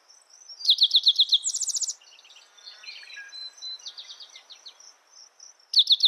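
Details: Spotted towhee singing a rapid series of clear, clipped notes that ends in a rasping buzzy trill. Softer twitters from other birds follow, a second phrase begins at the very end, and a thin insect drone runs throughout.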